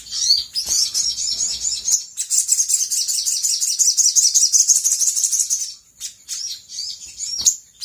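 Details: Brown-throated sunbird calling as a lure for other birds to respond: a long, busy, high trill of rapid chirped notes lasting several seconds, then a few scattered sharp tweets.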